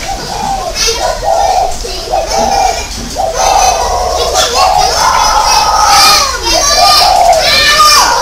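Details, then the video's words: Decoy spotted dove, Ba Vì, Hanoi, 27 December 2018: steady rhythmic cooing about once a second, partly masked by a loud background of voices and noise. "Mồi còi"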